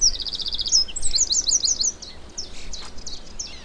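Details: Eurasian Wren singing in scrub at the Zouweboezem nature reserve, Netherlands, in spring (May): a loud, rapid burst of high, metallic trills and sharp notes that tumble quickly, over a low background rumble.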